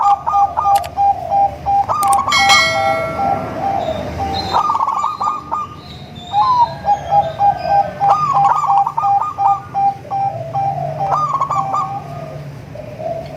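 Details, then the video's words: A melodious local crossed with Bangkok-type zebra dove song, played to lure other zebra doves: rapid trilling coos in bursts, steady level notes broken by quick stuttering rolls, with several pauses and a few sharp clicks. "Perkutut lokal#krosing#bangkok suara merdu untuk memancing perkutut anda"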